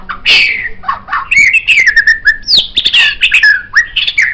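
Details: White-rumped shama song used as a master for songbird training: loud rich whistles, slurred descending phrases and rapid clicking notes in a busy mixed stream.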